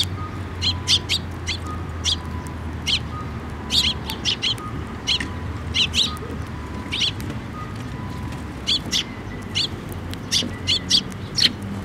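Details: Flock of sparrows flying in for food on a bridge over water at a shrine, 5 May 2024: many bright, short chirps in loose runs through twelve seconds, several birds overlapping, against a low hum and faint steady tones.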